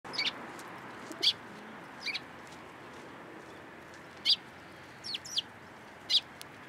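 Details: Sparrows coming onto a hand to be fed at a Tenmangu shrine, 13 April 2023: short high chirps given singly and in pairs at irregular intervals, six in all, over a steady low background hiss.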